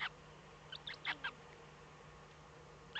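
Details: Eurasian eagle-owl nest in the Eifel, Germany, at 05:36 on 8 April 2014, when the first chick hatched; a quick series of five high, squeaky chirps, then a final one after a pause, over steady low hum.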